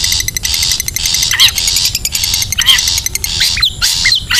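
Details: Long-tailed shrike in the wild, a recording used as a lure to draw shrikes together: dense, harsh, buzzy bursts repeated in quick succession, mixed with short rising and falling whistled notes.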